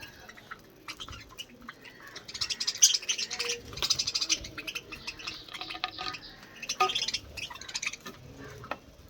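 Budgerigars chatter in quick, scratchy warbles and high chirps, rising and falling in bursts.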